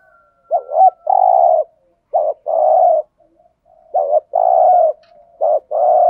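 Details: Spotted dove calling as a lure for wild doves. Four low, mellow phrases in quick succession, each a short quavering note leading into a longer even coo, with a faint high tone at the start.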